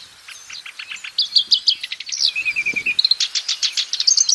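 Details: Black-browed reed warbler singing lively in the wild: scratchy repeated notes, a short lower trill, then bright, insistent chak-chak phrases repeated quickly, with faint background rustling.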